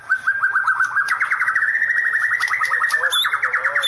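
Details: Shama pouring out a fast, even trill of clipped notes that climbs slightly in pitch and holds steady for several seconds, with a few high chips and a soft lower whistle near the end.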